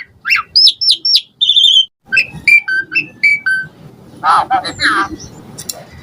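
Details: Asian pied starling singing a varied, mimicry-filled song meant to lure other starlings to reply: quick sequence of short whistled and slurred notes, some rising and falling, with soft low background noise throughout.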